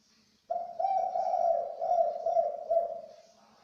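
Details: Spotted dove giving its special, rare three-note "kuk" call: a low, hoarse cooing phrase held for about three seconds, swelling in a few soft pulses before fading, with faint background hiss.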